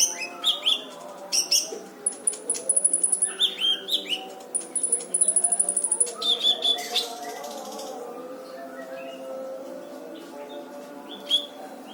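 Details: Brown-throated sunbird, called kolibri ninja locally, singing vigorously on a dense training recording full of harsh bursts: high sharp chirps and short rapid trills in quick clusters, with a steady low hum behind.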